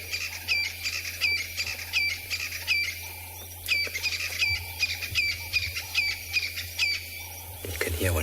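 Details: On an afternoon safari drive on 21 August 2020, after rain, a Crested Francolin gives rapid, sharp, high, hooked notes in rhythmic bursts, part of a covey calling in duet, over a low engine hum and brief voices.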